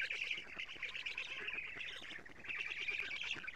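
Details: Harsh, fast-stuttering squeaky chatter, unbroken and fairly steady, from black stork chicks in their nest in Estonia as the adult female brings lampreys, recorded by nest camera at 07:47, 14 June 2017.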